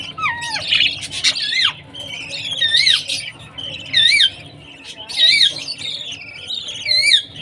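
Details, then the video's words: Budgerigar chick chirping while being fed, with wavering up-and-down whistled chirps, a descending whistle at the start and clustered squawky notes in bursts about every second. "Baby budgie's chirping sound, budgie parrot food time"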